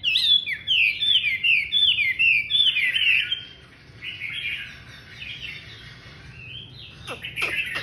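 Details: Chinese hwamei opening with a run of about five loud, repeated down-slurred whistles, then softer quieter warbling, a few sharp clicks, and a renewed burst of strong song at the end.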